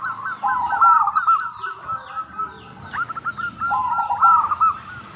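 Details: Local zebra dove singing a crystal-clear lure song meant to draw answers from other doves: quick runs of hooked, mellow coos near one pitch in two bursts, with faint high chirps of other birds behind.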